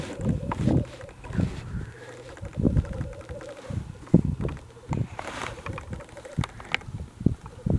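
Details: Black grouse recorded very early on a gloomy February 2018 morning in mid-Wales; a continuous low bubbling hum underlies scattered deep, knocking bursts and occasional sharper clicks, repeated irregularly throughout.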